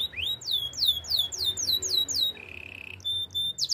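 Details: Canary singing for canary training: a run of about ten bright, falling whistled notes, then a brief low buzz and a few sharp high chirps.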